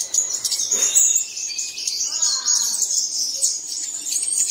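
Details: Early-morning lure to set caged birds singing: busy high twittering and trilled phrases carry throughout, with a short soft thump near the start and a faint lower warble midway.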